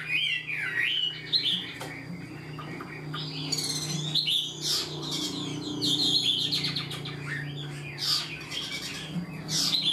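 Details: Chinese hwamei, freshly caught and caged, singing its full song: loud looping whistles alternating with bursts of rapid rattling notes and sharp clicks, spaced through the recording, with a continuous low hum.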